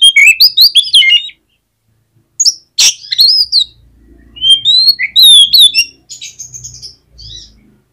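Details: Oriental magpie-robin singing to coax a lazy bird into answering: quick sweet whistled phrases, a sharp rasp, then more rapid varied whistles and twitters with short pauses.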